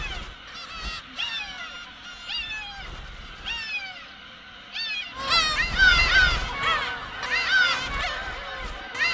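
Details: Black-tailed gulls in a breeding colony of about 20,000 on uninhabited Hongdo island off Korea's south coast give overlapping, cat-like, sharply down-slurred mewing calls while settling and fighting over nest sites, swelling into a dense chorus.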